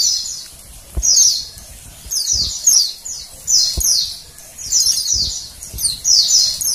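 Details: Oriental white-eye female producing high, downward-sweeping chirps in small groups roughly every second, a call used to prompt males to sing; occasional faint low knocks.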